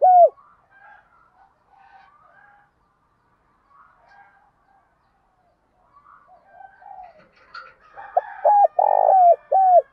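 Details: Spotted dove calls, male and female, played to train captive birds; a cut-off coo opens, then faint distant bird notes, then a full low phrase of arched coos with a long vibrating central note and a falling close.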